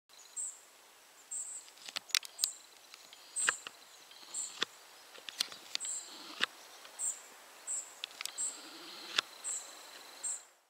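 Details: Possible collared flycatcher in Poland, ID unconfirmed, perhaps a hybrid: thin, very high whistled notes repeated about once a second, with sharp clicks and taps scattered throughout.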